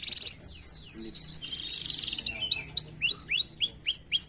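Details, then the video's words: Caged canaries at a bird farm, used as a lure for other birds, sing vigorously: looping downslurred whistles and a harsh buzzy rattle, then a run of rising-then-falling swooping notes. "clear sound of canary birds singing diligently, suara jernih burung kenari gacor untuk pancingan"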